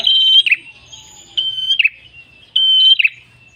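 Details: Red-headed tailorbird in active song for luring other birds: three high, level whistled notes, each ending in a quick downward buzzy trill, spaced about a second apart.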